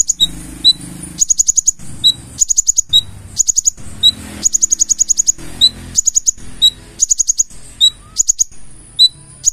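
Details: Purple-throated sunbird (konin) in full isian song: rapid high ticking series broken by single lower whistled notes, the pattern repeating steadily throughout.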